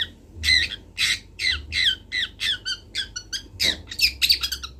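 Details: Juvenile long-tailed shrike, a local Kendal bird learning its song: a steady series of harsh, nasal, squawking notes, speeding up into a rapid stutter at the end.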